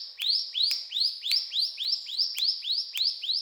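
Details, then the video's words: Lively cetrakan singing from a brown prinia, with quick rising chip notes repeated evenly about three times a second and a thin high sheen above each note. "Burung Ciblek Gunung Gacor Cetrakan"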